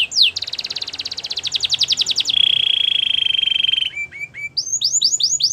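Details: Belgian canary singing for training, with one sweeping note, a rapid pulsed trill, a long even rolling tone, then a run of quick rising-and-falling chirps.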